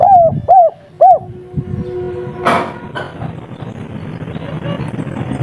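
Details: Local Indonesian spotted dove singing in the three-note 'kuk 3' style: three arched, mellow coos in quick succession, then the bird falls silent under a background of rumbling noise and scattered clatter.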